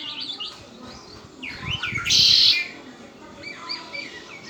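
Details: A kept Red-winged blackbird sings sliding whistled notes leading into one loud, dense buzzy trill lasting about half a second, then quieter chirps.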